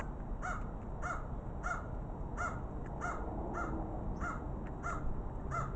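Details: Two crows exploring together give short, harsh calls repeated about every half second, roughly ten in a row at an even pace, over constant low background rumble.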